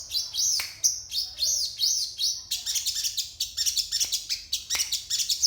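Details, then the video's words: Crested jay singing in the morning in isian style: a run of repeated high, arched whistled notes, then a fast stuttering series of sharp chirps with a few downward-swept notes, over faint low hum. "Absen pagi SOGON ISIan"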